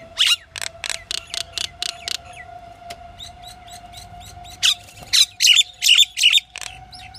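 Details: Fast series of raspy chattering notes from a pied myna, a pause with soft whistles, then louder harsh squawks in a quick run, over a steady low hum.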